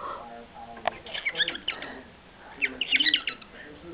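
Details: A pet cockatiel sings to its owner's dog in bursts of bright, warbling chirps and whistles, a sound the owner had never heard it make before.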